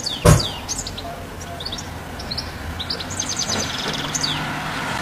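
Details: European goldfinch perched on a house roof, giving a run of high, liquid twitters and short chirps in loose clusters, opened by a sharp knock and set against low rumbling background noise.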